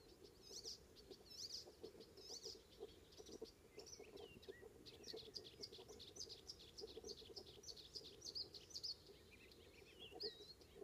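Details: Icterine warbler singing on Ameland, north of Hollum, Netherlands, on a May morning: a continuous stream of high, scratchy, rapidly repeated notes with occasional short whistles, over a steady low rumble of wind or surf.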